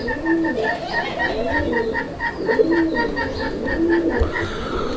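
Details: Pigeons at a farm in Kashimpur, Gazipur, Bangladesh, including local deshi, Chila and Bombay birds; soft, deep rolling coos recur every second or so beneath a steady, rapid series of higher pulsed squeaks.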